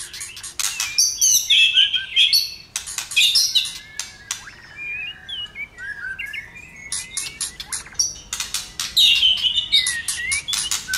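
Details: Fired-up white-rumped shama singing at length, tail flicking: harsh rattling bursts and crackling clicks alternate with a run of softer gliding whistles, then more chatter near the end.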